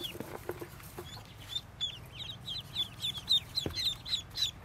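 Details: A brood of 25 newly hatched yellow ducklings of a white Muscovy duck peep with many high, thin, down-slurred notes overlapping several times a second, over soft low rustling and a few knocks.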